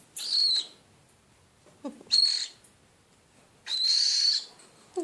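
Three harsh, hissing screeches, each half a second or longer, come about every two seconds. Brief lower squeaks sound between them.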